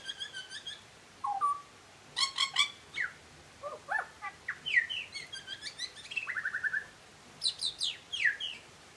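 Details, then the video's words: Butcherbird in song, delivering a busy, varied run of phrases: short whistled slurs rising and falling, harsh stacked chattering notes, a rapid buzzy trill midway and sharp downward-swept whistles, with barely any pause throughout. "Butcher bird singing"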